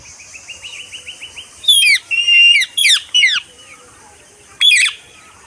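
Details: Parakeet calls: a soft run of evenly spaced rising notes, then a burst of loud, grating, downward-slurred screeches in quick clusters, with one last harsh screech after a pause and faint steady hiss behind.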